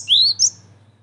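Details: Cinereous tit lure call used for trapping and for tutoring birds: one clean rising whistle sweeping upward, then a short higher buzzy note, quiet low hum behind.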